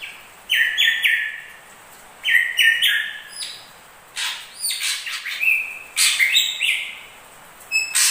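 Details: Crested and ashy drongo song combined: stepped whistled phrases, then a run of harsh, scratchy buzzing notes and a long level whistle, lively and varied.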